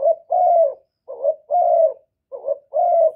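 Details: Spotted dove calling to provoke rival birds, no background noise: quick paired coos, a short rising note followed by a longer, steady falling note, three times in close succession.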